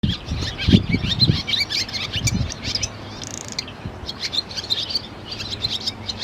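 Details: Barn swallow twittering in quick, high chattering bursts of clicking and liquid notes throughout, over low rumbling noise; a bird of open French countryside.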